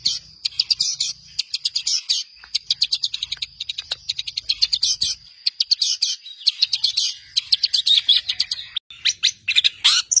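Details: Long-tailed shrike master song for tutoring songbirds: a rapid, varied chatter of high, sharp chirps and trills in quick clusters with short breaks, rising to a final upswept note.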